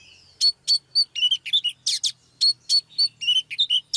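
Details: Training a male Oriental magpie-robin with a female's singing: crisp, separate whistled notes and short chirps, about four per second, clean and piercing with no other sounds.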